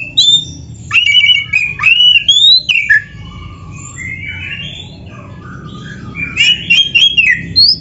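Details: White-rumped shama, called kacer, singing a varied lure song: sharp whistled notes and slurred rising phrases in bursts, a softer warbling passage in the middle, then loud phrases again.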